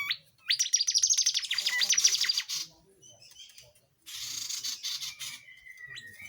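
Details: Tledekan jati in full song, used as a master tutor for songbirds such as white-rumped shama and magpie robin; a fast, high, rattling trill of repeated sharp notes, a pause, then a hissing burst and a thin whistled tail.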